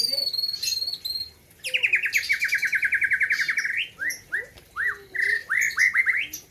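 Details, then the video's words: White-rumped shama originally from the Gayo highlands of Aceh, singing at a 2021 bird competition: high whistles, then a rapid run of about twenty loud, even notes, followed by rising and falling slurred whistles, with people talking nearby. "ALUNAN MERDU MURAI BATU"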